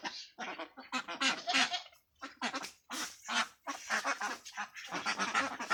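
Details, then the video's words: Farm ducks quacking in short clustered bursts separated by quiet gaps, raspy and nasal, several birds calling at once. "Duck Sound"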